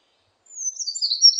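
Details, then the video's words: Eurasian wren song fragment from a 2020 recording: a brief, very high rush of thin, rapid notes, starting with a slightly falling whistle and breaking into quick jittery trills, ending abruptly, with no other sounds. "굴뚝새, 여러번 듣기, 곤충소리, 새소리"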